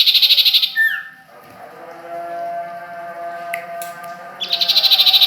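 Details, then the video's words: At Ajibarang, a sirtu or common iora (cipoh) opens with a rapid buzzy trill that ends in a downslurred note. A quiet stretch with a steady low hum and faint clicks follows before the fast trill returns. "Suara burung sirtu,cipoh Ajibarang"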